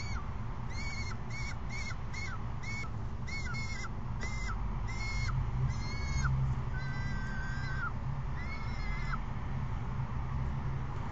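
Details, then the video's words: Peregrine falcon chicks screeching at an adult on May 29, 2022, just after midday; harsh, rasping screeches in a rapid series of short bursts, then longer drawn-out wails, over steady low rumbling background noise. "Babies screech at Ares"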